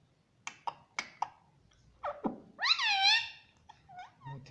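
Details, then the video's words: Pet green parakeet indoors, talking words such as mummy and papa; several soft clicks open, then a sliding note and a long arched, harmonic syllable, trailing into small quiet chirps. "Mummy Papa Bolunga Meto || Parrot Talking || Bolne wala tota"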